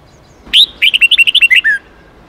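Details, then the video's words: Training song for young red-whiskered bulbuls in the 8-9-10 note wild style. A bright rising note leads into a brisk series of ten or so bouncing chirps and one closing downward-gliding whistle, heard against near silence. "Luyện Chào Mào Hót Giọng 8-9-10 Ép Chim Non Học Giọng Chuẩn Rừng"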